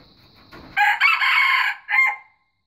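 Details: One loud crow from a white junglefowl: a clipped first syllable, a long coarse drawn-out note and a separate short closing note, then silence.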